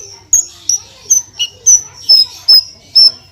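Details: Horsfield's bush lark, a caged branjangan singing the busy 'gacor full tembakan' style used as a tutor recording: sharp, high, thin whistled notes repeated about every half second, with a faint low hum underneath.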